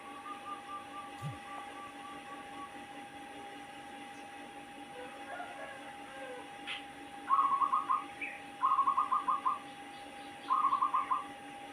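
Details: Zebra dove, a wild-caught bird kept for a few weeks, giving an unusual call: faint soft repeated whistled notes, then three loud bursts of quick, rolling, stuttering coos, over a steady electrical hum and background noise.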